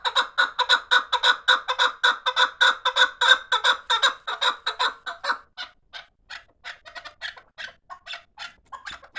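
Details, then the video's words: A steady, rapid string of rough chuk-chuk calls from fighting chukar partridges, roughly two per second. It holds loud for five seconds, then breaks into sparser, softer notes. "Кабки ҷангӣ"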